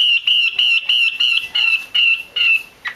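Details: Eight evenly spaced, flat whistled notes in three seconds from a female Chinese hwamei, a call meant to stimulate males to sing.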